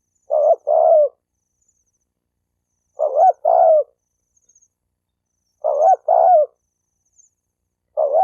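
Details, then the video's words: Spotted dove cooing, a recording used to provoke males and females into fighting: low, mellow two-part coos, a short note then a longer rolling one, repeated about every 2.7 seconds against a silent background. "Tiếng chim cu gáy kích bổi kích trống mái gáy gù đánh nhau"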